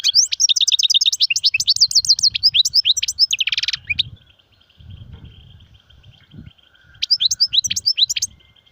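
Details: Goldfinch singing in the sirfati, gzirati and tsersir styles: a dense, liquid twittering phrase ending in a harsh buzzy burst, a pause with low background hum, then another quick run of bright chirps.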